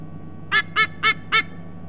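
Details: At a nest in Sydney Olympic Park, Australia, on 3 November 2018, a sea eagle chick returns to the nest; four quick, harsh honking notes evenly spaced under a second apart, with faint low hum behind.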